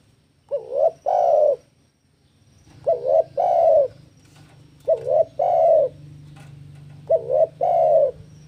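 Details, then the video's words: Spotted dove in breeding mood challenging a rival: four low cooing phrases, each a clipped double note and a longer wavering coo, evenly spaced about two seconds apart, with a low hum beneath. "Suara Burung Tekukur Jeboll GACOR BIRAHI MENANTANG LAWAN"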